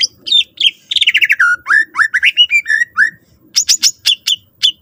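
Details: Greater green leafbird singing a rich varied song played to coax other leafbirds into singing: a fast trill, then falling and rising whistled slurs, ending in sharp high chip notes repeated quickly.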